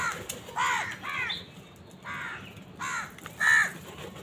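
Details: Crows fighting wild birds over food: rapid, grating caws in short bursts roughly every half second to second, five or six calls over four seconds, with quiet outdoor background between.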